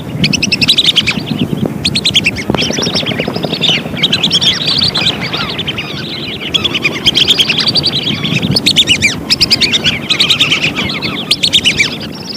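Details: A lure recording of lesser whistling ducks in which a dense flock chorus of high, wavy whistles keeps going without a break. Short repeated notes pulse throughout, set against steady low background noise.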